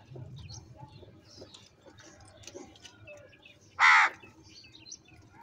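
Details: Crow calling while birds fight over food: one loud, harsh, broadband caw of about a third of a second, standing out midway against soft background chirps and twitters of other small birds.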